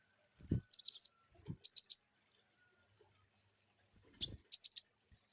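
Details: Cinereous tit in varied wucit-style song, giving short bursts of three or four sharp, high, downslurred whistles, with a few low thumps and a soft faint phrase between them.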